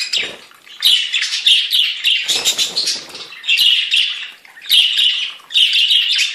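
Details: Several budgerigars from a breeder singing close up: continuous loud, scratchy, buzzy warbling in repeated phrases about a second long, broken by short pauses, with clicks and chirps woven through.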